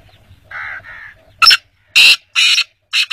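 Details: Black francolin (Francolinus francolinus), call.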